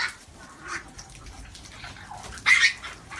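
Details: A large flock of over 1000 African grey parrots in an aviary, said to be in good health, gives a steady wash of overlapping chatter, broken by one loud, harsh squawk with a shrill whistled note near the end.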